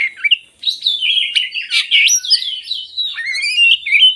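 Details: Oriental magpie-robin song used as a lure to get lazy birds singing: continuous, fluid whistles rising and falling, interspersed with sharp high chips and rapid twittering near the end.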